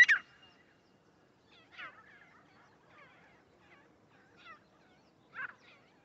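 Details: Grey francolin calling, used as a lure for trapping: sharp, swooping chirps and whistled notes. A loud burst opens the clip, then short calls come near two, four and a half and five and a half seconds, over a quiet background.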